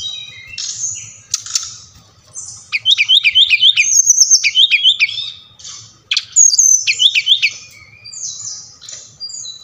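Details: Brown-chested jungle flycatcher from Bali, in audio for prompting captive birds to sing. Repeated rapid looping trills of about five notes each come in bursts between high whistles, forming a lively, rhythmic song over a low hum.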